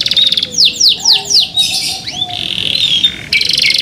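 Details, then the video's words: A young white local canary, tail not yet grown and song not yet complete but very loud, sings rapidly: four descending whistled sweeps, then buzzy notes and a fast high trill, all bright and high-pitched. "THE SOUND OF CANARIES CAN MAKE OTHER CANARIES JOIN TO SING"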